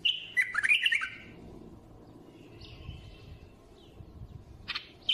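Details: A bulbul's fluty, tumbling phrase opens the recording. Soft scattered notes and low rumbles follow, and a clipped whistle returns at the very end.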